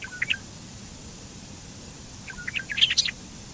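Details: Bobolink (Dolichonyx oryzivorus) singing two brief phrases: a short jumble of tinkling notes, then after a pause a longer, louder bubbling burst of metallic chips and squeaks, over soft background hiss.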